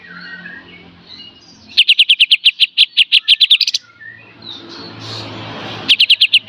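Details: Olive-winged Bulbul (kapas tembak) singing in the full 'beset dan tembak' style, recorded as a master song for training songbirds: a rapid machine-gun burst of sharp high ticks lasting two seconds, a pause with faint murmur, then another short burst.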